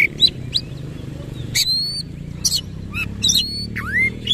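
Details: Oriental magpie-robin (kacer) delivering harsh 'isian kasar' song with tail spread: scattered loud chirps, a flat high whistle and a deep down-up swooping note, separated by pauses over low rumble.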